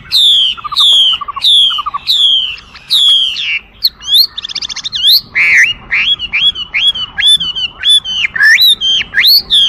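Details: Chinese hwamei singing a rich medley of loud whistled notes, repeated descending phrases, a short burst of harsh buzzy notes midway, then looping slurred whistles.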